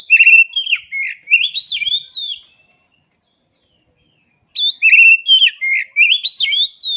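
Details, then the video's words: Kacer, the oriental magpie-robin, sings two bursts of rich whistled phrases, slurred up and down, with sweet and scratchy notes mixed, separated by a silent gap of about two seconds. "Suara Asli Kacer"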